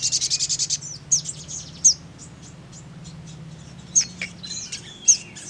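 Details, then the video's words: Crimson sunbird opening with a short, rapid, high trill, followed by scattered sharp, high chirps and thin twitters spaced a second or so apart, over a low hum. "DENGAR PANGGILAN SOGON SEPERTI INI"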